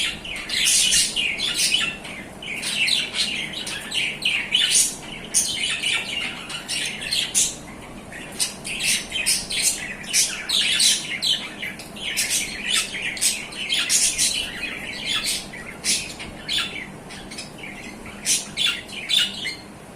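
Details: An adult pair of budgerigars chatter with rapid, scratchy chirps and squawks, almost without pause.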